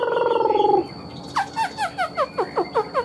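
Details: Chinese hwamei, a caged bird, gives a rasping buzzy descending note, then a rhythmic series of clear downslurred whistles about five per second.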